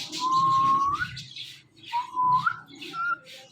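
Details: Pet Indian ringneck parakeet, described as talking, giving a long level whistle followed by two shorter rising whistled notes after a pause, with soft background noise.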